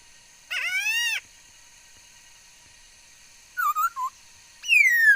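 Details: Bird singing: a clear upslurred whistle with rich overtones, a pause, then three short clipped whistled notes, and finally a long falling whistle, all against a quiet background with a faint steady hum.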